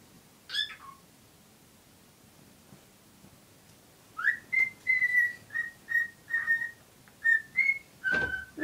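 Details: Pet cockatiel in love with a cuddly toy; after a brief squeak and a quiet stretch with background hiss, a run of short repeated whistles at steady pitch ends with a harsh note.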